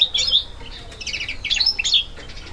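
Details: Goldfinch mule recorded in February 2011, giving short high twittering bursts and squeaky chattering notes in quick irregular groups.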